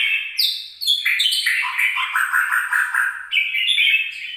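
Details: Red-whiskered bulbul, recorded 26 April 2022: dense, chattering warbled phrases in a continuous stream, with sharp descending notes early on, then a run of rapid rhythmic chirps and a bright closing trill.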